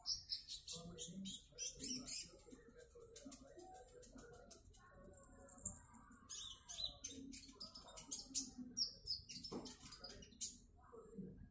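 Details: Konin trotol bird delivering bursts of high thin chirps, then a long sustained very high whistle of about a second, followed by more rapid chirping phrases; low indoor rumble and soft clicks in the background.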